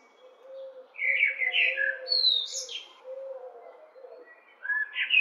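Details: A lone common blackbird, sitting and calling for minutes unanswered, gives mellow fluted notes that climb into a squeaky, scratchy high flourish, then a fresh phrase starts near the end; a soft low steady tone runs beneath.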